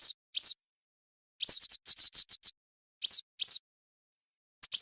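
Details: Western yellow wagtail calls, offered as a sound for hunting: short, sharp, high downslurred notes, some singly, others in a quick run of about eight, with silent gaps between bursts and no other sounds.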